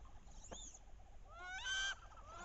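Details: Wood duck hen on a bayou in late October during the mating ritual, when hens call loudly to entice drakes: a soft rising squeak, then one loud, rising, harmonic squeal lasting about half a second.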